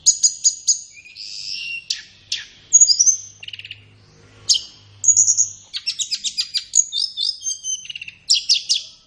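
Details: Training song of a flowerpecker for captive birds, suggested for morning or afternoon sessions. Fast trills of tiny ticks open, followed by slurred whistles and a long run of rhythmic high chips with repeated downward notes.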